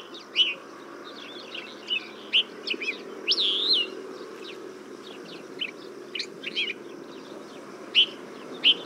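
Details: Desert Finch (Rhodospiza obsoleta) song: scattered high chirps and twittering notes, with one longer warbled, slurred phrase near the middle, over a faint low background hum.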